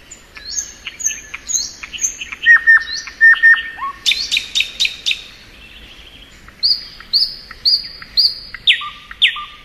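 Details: Thrush nightingale spring song, varied: whistled slurs and clicks, a loud clicking burst, a brief pause, then a row of repeated rising whistled notes.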